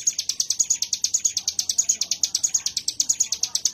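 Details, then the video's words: Mountain prinia (ciblek gunung) giving ngebren-style 'wave shot' song: a high, dry, machine-gun series of short notes, about eight a second, unbroken and uniform, against a quiet background. "Tembakan Gelombang Ciblek Gunung"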